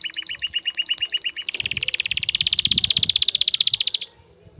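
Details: Male canary calling a female for mating, opening with spaced double-toned chirps, then a long, very rapid high trill lasting about two and a half seconds before stopping abruptly.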